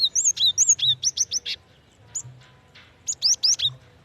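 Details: A female cinereous tit calls to a male. She gives a rapid run of about ten bright, high, downslurred chirps, then a pause with a single faint note, then a closing burst of four clear whistled chirps. A soft low hum sits beneath.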